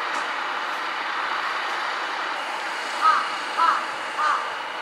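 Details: Large-billed crow calling from an electric wire, changing its voice: after about three seconds of steady rushing noise, three short, rasping caws follow roughly half a second apart.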